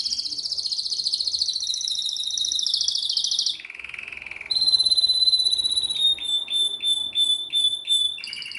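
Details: Canary singing a pleasant song: long rapid trills around high pitch, shifting into a lower buzzy roll, then a bright sustained whistle and a series of evenly spaced repeated notes, all continuous and loud with no other sounds.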